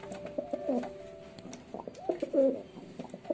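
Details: Low, quavering pigeon coos rise and fall in short rolling phrases, repeated several times in quick succession, with faint clicks and light background noise.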